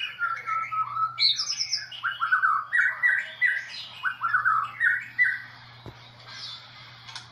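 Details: Champion Medan-type white-rumped shama from the 2018 Presiden Cup national contest gives a run of harsh, rattling, squawky phrases in quick succession, ending in a softer buzzy note, over a steady low electrical hum.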